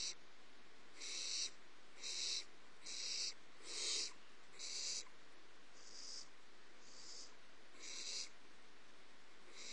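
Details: Young barn owls at Starr Ranch are active early in the morning on 30 March 2011, stretching, hopping and climbing in their nest box. They give harsh, breathy hisses, each about half a second long, repeated roughly once a second.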